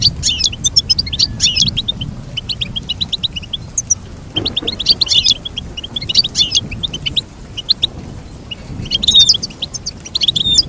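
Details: Singing goldfinch delivering clusters of quick, high, tinkling chirps in bursts separated by brief pauses, with a faint low hum underneath.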